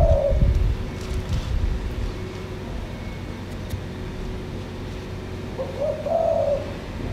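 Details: A male Asian koel perched in front-yard plants gives a mellow, hollow note that swells and rises slightly, then repeats about five seconds later over a steady low traffic rumble.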